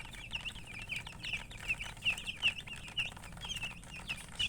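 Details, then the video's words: Chicks calling with quick, shrill peeps that come in an uneven stream, about two or three a second, over a low background rumble. "MURGI Baby "Chicks Chirping" Sound"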